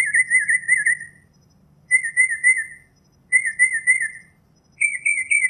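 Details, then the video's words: Northern mockingbird singing a warbled, slightly wavering phrase four times, each about a second long with short pauses between; the last repeat is pitched higher. Faint low background hum. "Northern Mockingbird Song, Sound, Voice, Call, Melody - Sinsonte Canto - Mimus Polyglottos"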